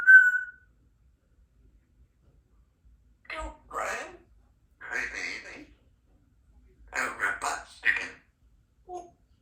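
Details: Three-year-old female Congo African Grey Parrot, a talkative pet kept in a country home, gives a brief high whistle, then several short bursts of speech-like chatter in clusters separated by pauses, ending with a faint short note.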